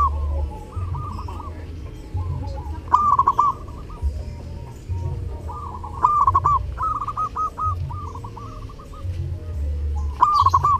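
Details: Zebra dove called perkutut, gacor during Lebaran, delivering repeated trilling coo phrases of clipped notes at a steady pitch, several in a row, with a background hum and occasional sharp clicks.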